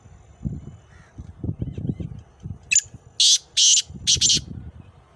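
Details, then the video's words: Black francolin from Khushab, Pakistan, giving a loud, harsh, grating call of four rasping bursts, with low murmuring human voices behind. "kala teeter ki awaz"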